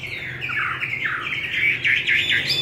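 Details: Chinese hwamei singing with a wild forest voice, fed homemade bran: loud, rich, rapidly modulated phrases of swooping whistled notes with repeated upward and downward sweeps.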